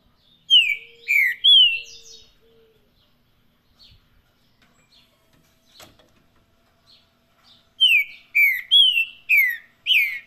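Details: Green-winged saltator (trinca-ferro) singing in the Paraná style: an opening burst of three falling whistled notes, a long quiet pause with faint clicks, then a second burst of five loud downslurred whistles.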